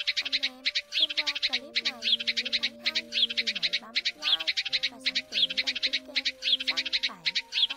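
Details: Lure recording of sparrows for bird trapping at Tet, Lunar New Year 2022: dense, rhythmic runs of shrill chirping in quick bursts, continuing throughout with a melodic instrumental tune underneath.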